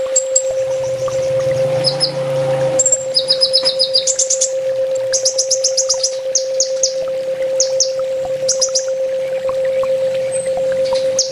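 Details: Olive-backed sunbird master song in full tembak style, used to train kept birds: fast, varied bursts of high trills and sharp chips, about four per second, with a steady background hum.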